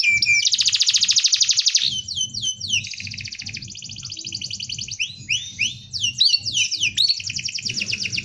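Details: Canary singing a dense rolling tutor song: an intense high buzzing roll lasting two seconds, then looping slurred whistles, a softer churring stretch and bright rapid phrases, with a low hum underneath.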